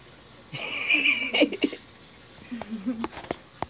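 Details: Pet African grey parrot at night, protesting as its cage is covered with a blanket: a harsh, buzzy squawk lasting about a second, then lower rough vocal sounds, with clicks and faint household noise.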